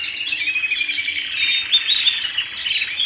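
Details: Canary singing at home, a fast string of sharp chirps, roughly three per second, running into rising, whistled flourishes.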